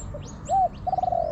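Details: Spotted dove in the wild, replying to a decoy bird in a garden: a bright short coo followed by a long, evenly pulsed rolling note, with thin high chirps from other birds behind.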